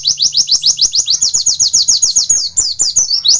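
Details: Oriental white-eye song used as a master recording for training songbirds, a fast, high run of thin down-slurred notes, about five a second, breaking into a looser twitter at the end.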